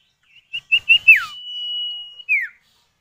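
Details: Common iora, male and female answering each other, used as a lure to set other kept birds singing: a few short rising whistled notes, a downslurred whistle, then a long level whistle ending in a falling slur.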